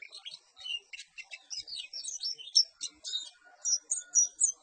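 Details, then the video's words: Perci bird song: rapid, high, chirping twitters packed closely together, broken by short gaps and a faint thin whistle in the background. "Suara Burung Perci"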